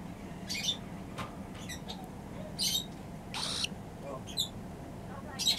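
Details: Newly arrived pet cockatiel gives short, harsh squawks and raspy chirps about once a second, over a low indoor hum with what may be faint voices.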